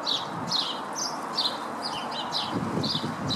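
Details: Lesser redpoll visiting a garden Nyjer feeder in Howdon, 3 May 2016. A quick series of bright, slurred chirps, roughly two or three per second, over steady low background noise.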